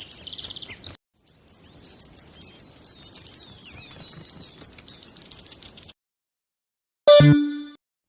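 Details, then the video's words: Sparrows chatter in fast, high, bright chirps, about three a second for six seconds, followed after a pause by one short, different ringing note. "બાળકો હવે આપણે ચકલી નો અવાજ સાંભળીએ બાળકો"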